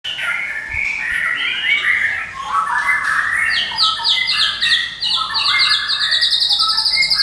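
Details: White-rumped shama of the Medan type, a caged bird used as a lure and master song for training, delivering continuous rapid chattering song: dense repeated notes between mid and high pitch, rising into fast buzzy trills toward the end.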